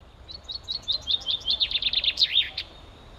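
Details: Common chaffinch song recorded in Ivanovo, Russia, on 8 May 2016: a bright descending series of sharp notes, starting with spaced chips and accelerating into a rapid rattling run that ends in a flourish, over faint low background noise.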